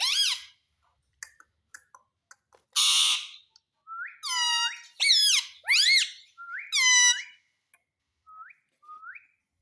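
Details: Pet ringneck parrot that talks, saying mummy and papa, gives a harsh buzzy screech then a run of bright stacked harmonic notes, each bending up then down, repeated about every second, fading to short quiet rising chirps.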